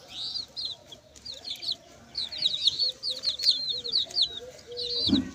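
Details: Chicks peeping in quick high overlapping notes, joined by softer low clucking tones and a brief rough bump at the end.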